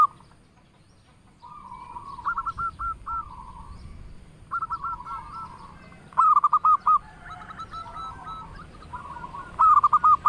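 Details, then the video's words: Melodious song of a local zebra dove, meant to set other doves replying: repeated phrases of quick cooing notes, each run ending in a longer trill, with one phrase about every three seconds and faint answering coos behind. "perkutut lokal gacor suara merdu bikin nyaut semua burung perkutut"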